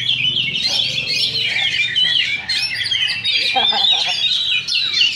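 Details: Oriental magpie-robin duel during a Sindanglaut Sunday practice singing contest: busy, high-pitched song of sweeping whistles and quick twittering runs, pausing briefly before resuming, with human talk below.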